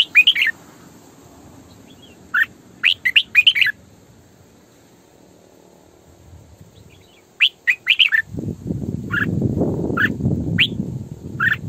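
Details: Caged female red-whiskered bulbul used as a lure, singing sổ bọng căng phrases: scattered groups of sharp, chirpy whistles, a few quiet notes, then a strong rushing noise covering the later part while short chirps continue.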